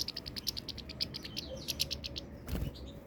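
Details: European goldfinch song of quick, high chirping notes repeated in a lively stream, with a short slurred twitter in the middle and a brief broad noise burst toward the end over low background hum.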